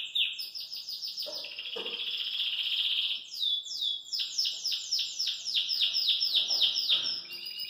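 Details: Caged Belgian canary in full song, hopping about: a long sustained rolling trill, then a fast series of repeated downward-sweeping whistled notes, about four per second, bright and high-pitched.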